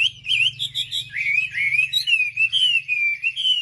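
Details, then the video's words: Wambi song used as a lure to provoke other wambi birds: a fast chain of clear whistled notes, sliding and warbling up and down, with short gaps about every half second. "pancingan suara wambi paling ampuh untuk memencing emosi burung wambi"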